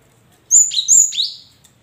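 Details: One phrase of cinereous tit song used as a lure for caged tits reluctant to sing: three quick, piercing whistles, each swooping from high to lower pitch, delivered within about one second.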